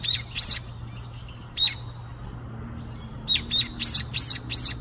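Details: Little bird chatting with its friends outside: a pair of sharp high chirps, a lone chirp, a quiet gap, then a rapid string of five bright upswept tweets over a low steady hum.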